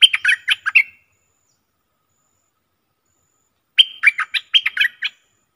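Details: Bulbul in a singing contest on 24 October 2021: a short phrase of five clipped chirps, then about three seconds of silence before a longer run of roughly eight sharp, bright notes.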